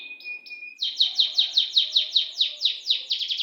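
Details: Canary singing in a long roll: a steady high whistle with a brief higher note, then a fast, even train of bright downslurred notes repeating about six times a second. A faint low murmur sits in the background.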